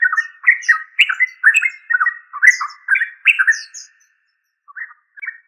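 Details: A Yellow-vented bulbul (trucuk) gives a rapid run of bubbly, gurgling notes, about two a second, then pauses and adds a few softer phrases; used to lure caged birds into singing.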